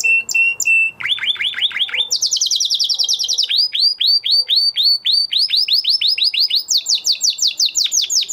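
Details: Canary after the moulting period, a male in training, sings a whistled note, then successive tours of rapid descending slurred notes at different pitches, each tour lasting one to two seconds.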